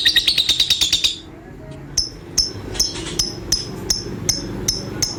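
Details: Lovebird ending a brief fast high trill, followed after a short pause by single sharp chirps repeated about every third of a second.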